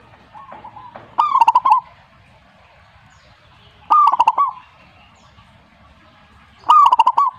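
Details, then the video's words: Zebra dove song: three bouts, each a rapid run of short clipped coos with a slight rise, then a brief rolling ending, about three seconds apart over a low background hum. "perkutut jika nyaut"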